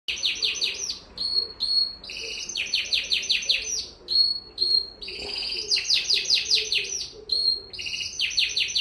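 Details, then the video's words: A canary sings a fast, continuous song of bright trills and rolling rapid notes, broken by short pure whistles, with a faint low hum behind. "Canary singing"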